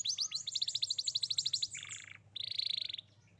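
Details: Young canary song meant to coax a canary that has stopped singing: rapid chopped trill of high notes, then buzzy harsh bursts, loud and energetic.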